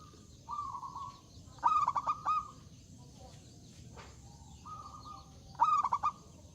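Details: Loud zebra dove song, inviting rivals to sing: a smooth level coo leads into a short stuttered burst, pattern repeated twice amid background hiss.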